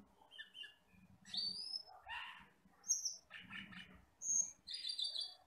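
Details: Wild forest Asian glossy starling, a black bird with red eyes, in a tutor recording: piercing high whistles alternating with harsh, grating chatter phrases and soft low rumbling in the background.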